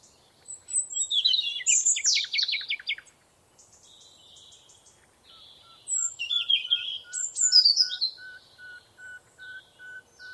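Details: Forest birdsong from several birds: bright, high, slurred and trilled phrases in two bursts, a rapid series of clicking notes, and a regular repeated short note continuing beneath.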